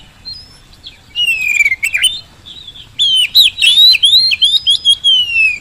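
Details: Kacer, the Oriental magpie-robin, singing gacor style as a lure for silent birds at home or in the field. A short whistled phrase and a pause lead into a sustained run of rising and falling whistles mixed with crisp clicks.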